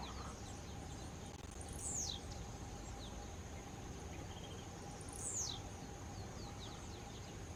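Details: Tiziu, the blue-black grassquit, gives its song twice, each a brief high sweeping note dropping steeply, spaced roughly three seconds apart, against a constant high-pitched drone and rumbling background.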